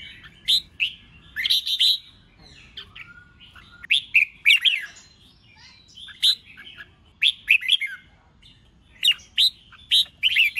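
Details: Red-whiskered bulbul contest song for stimulating newly trapped birds, 'ché chét' style: repeated bright chirpy phrases in clusters, slurred and emphatic, with short silences between and a quiet backdrop.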